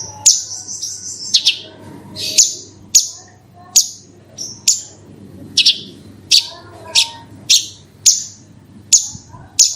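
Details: Horsfield's bush lark singing in 'roll tembak' style as a lure for other larks: thin, very high sharp chirps repeated roughly every half second to second, with a murmur of low background noise.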